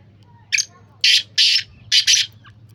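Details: Black francolin, locally kala teetar, calling loudly: a short scratchy opening note, then four rasping, grating bursts in two pairs over about two seconds, with a low steady hum in the background.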